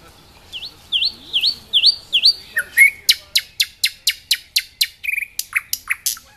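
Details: In a Sestroretsk park near Saint Petersburg a nightingale sings looping upslurred whistles, then a rapid series of dry clicking notes, about two per second, closing with short whistles.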